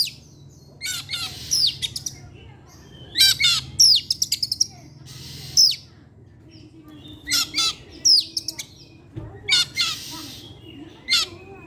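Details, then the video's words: Caged Oriental magpie-robin singing in the evening, used as a lure song: bursts of sharp whistles, chirps and harsh descending notes in phrases every few seconds, separated by short pauses, over a faint low hum. "pancingan suara kacer , Opus setiap sore ngeplay dan keluar materi"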